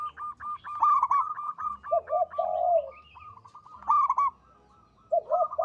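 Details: Melodious, loud song of a local zebra dove: repeated staccato notes leading into low rolling coos, a pause, then a fresh phrase of clipped notes ending in another rolling coo.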